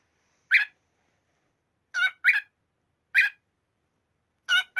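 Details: Cockatiel (Nymphicus hollandicus), call.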